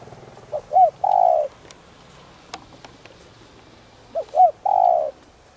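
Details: Decoy spotted dove calling to provoke cooing; two phrases of short rising-falling notes followed by a long, slightly burry descending coo, with faint clicks and a low hum between phrases.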